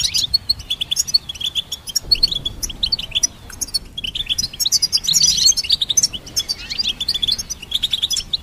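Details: Extended twittering song from a goldfinch hybrid, a continuous cascade of high chirps, buzzy trills and jingling phrases, rhythm quick and steady throughout.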